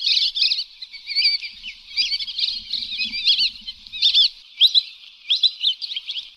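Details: Lesser whistling ducks (Dendrocygna javanica), recorded as a lure call, give a dense, overlapping chorus of shrill, squeaky whistles in quick bursts of two or three notes, with no other sounds beneath them.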